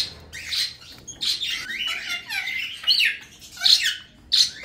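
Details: Pet cockatiels, two sibling males with their first chicks, basking in sunlight indoors: scratchy, high squawks and chirps come in irregular bursts, some rising and falling, with short quiet gaps between.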